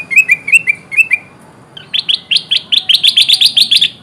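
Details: Kutilang emas bulbul lure call used to attract wild birds for trapping: a run of bright, slurred chirps, then a faster series of louder rising notes, about two to three per second.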